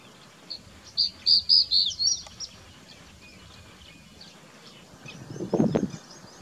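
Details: Crested bunting (Emberiza lathami) singing in the Aravali hills of Rajasthan, India: a single short phrase of about six quick, high, bright chirping notes ending in a slurred flourish, followed by quiet and a brief low rumbling thump near the end.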